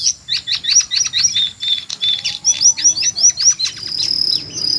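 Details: Jongkangan screech, used to train white-rumped shamas: a fast sequence of sharp downslurred high notes, about two a second, ending in a sustained thin high tone.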